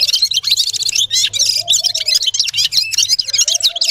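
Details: Red-fronted serin (gulsir) giving a continuous rapid, high-pitched twittering song of jingling, buzzy notes with no break, over a steady faint low hum.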